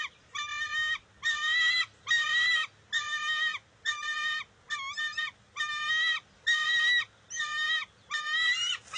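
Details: At a bald eagle nest in June 2021, an eaglet squabbles with its mother over a fish, giving steady strident, buzzy screeches of roughly a second each, around seventy a minute, over faint low background rumble.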